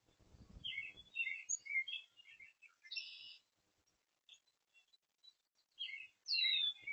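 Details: Oriole recorded on May 13, 2026, delivering clusters of varied, clear whistled notes broken by a harsh buzzy burst, pausing, then resuming with more whistles and a downslurred note; a low rumble sounds early on.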